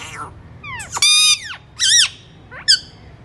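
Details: Alexandrine parakeet: a long, loud, harsh squawk with bright harmonics, a second arched screech, then a shorter clipped call.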